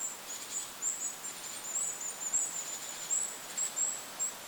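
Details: Goldcrest in forest beside a lake, giving rapid thin, very high tsee notes strung almost continuously, with brief louder bursts, against a constant background of wind.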